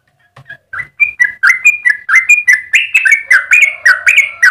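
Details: Lively extended song from a Yellow-vented bulbul, meant as master and lure for other bulbuls: a few hesitant chirps build into a dense, bubbling run of whistled notes rising and falling in pitch.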